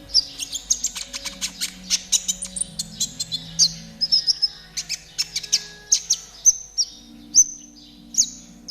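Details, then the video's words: Spotted konin, a caged songbird, singing lively as training material: a dense run of very high, sharp chirps and thin whistles, then evenly spaced slurred whistles about every half second, with a low steady hum behind. "TERAPI KONIN TROTOL AGAR CEPAT BUNYI || MASTERAN KONIN TROTOL GACOR"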